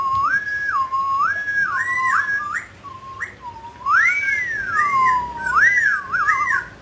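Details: Clear, fluting whistled song from a mutant grey laughingthrush as it sings and dances, with looping phrases that rise and fall, a short pause, then longer swooping whistles.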